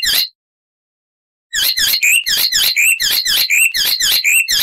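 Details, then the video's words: One brief note, a pause, then an icterine warbler repeating a sharp two-part phrase about twice a second, a harsh top followed by a lower whistled slur. "Icterine Warbler (Hippolais icterina)"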